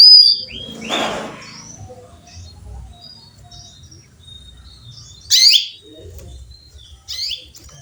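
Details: Female canary calling for a male, with a rough rustling burst near the start, then two sharp, high chirps late in the clip against quiet background.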